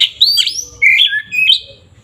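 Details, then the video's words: Oriental magpie-robin singing loudly, a fighting song used to rouse other birds; clear whistled notes sliding up and down, mixed with short scratchy elements in three quick phrases. "pancingan SUARA BURUNG KACER GACOR NGEPLONG ini paling ampuh untuk menaikan emosi kacer"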